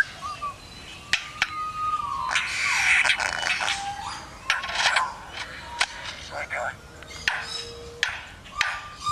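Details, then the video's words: Lyrebird mimicking construction sounds outdoors: sharp clicks, noisy hissing bursts, chirps and sustained whistled tones, some sliding, over a steady broadband background hiss. "Lyrebird mimics construction sounds"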